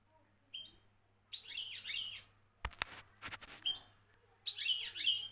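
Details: European goldfinch singing in the style of a Moroccan champion: short bursts of bright, rapid twittering notes with sliding whistles, separated by pauses, with a few sharp clicks or knocks in between.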